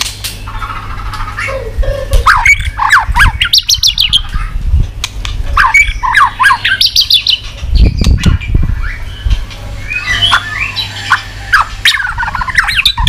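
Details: White-rumped shama, stimulated to sing with tail-flicking, giving varied whistled phrases mixed with high chips and sharp clicks, with low thumping knocks heard midway.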